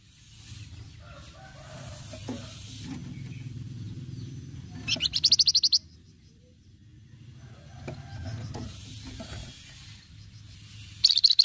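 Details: Flamboyan singing a cretetan rattle, recorded as a lure: after a stretch of low background noise, a short burst of quick high buzzy pulses, then another brief rattle right at the end.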